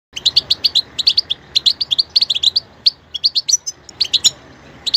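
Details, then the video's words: Goldfinch song: rapid, bright twittering of short high notes in quick bursts, some with a buzzy tinkle, broken by brief pauses, over a quiet background. "#stieglitz_vogel #goldfinch_song #chardonnerert_chant"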